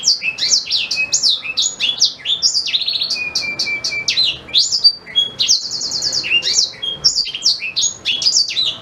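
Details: Black-throated canary in sustained song, meant for tutoring white-rumped shama: an unbroken, rapid stream of high, sweet twitters, slurred whistles and brief buzzy trills, varied phrase to phrase, with no other sounds.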